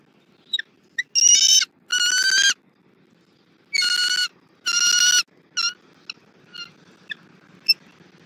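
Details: Bald eagles feeding an eaglet on a rabbit at a Southwest Florida nest, morning of 3 February 2024. Four loud, drawn-out, shrill harmonic squeals in two pairs, then faint short peeps trailing off.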